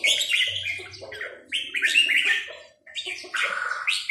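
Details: Red-whiskered bulbul, 'sai nap dok' note-counting song: loud chirpy whistled phrases in runs, one brief silent gap midway, with lower warbling notes underneath.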